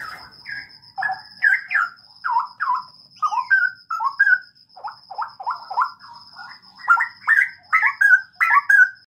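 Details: In a breeding aviary, a Straw-headed bulbul delivers a steady series of mellow, gurgling whistled notes, roughly two per second, swooping up and down, against a constant faint high-pitched whine.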